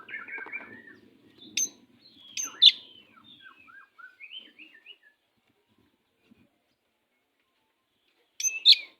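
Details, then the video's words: Oriental magpie-robin kept as a master bird for training other kacers, producing soft chattering notes, sharp high chips, a string of short slurred whistles, then a long silence before one loud sharp note. "Kacer pastol jahat lumayan but masteran burung Kacer kurang ngotot"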